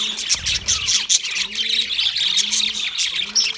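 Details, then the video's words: Budgies singing together in fast, buzzy, high chatter with sharp squeaks, over low drawn-out rising hoots repeated about every second, and a brief rumble near the start. "Singing Sounds My Budgies Birds"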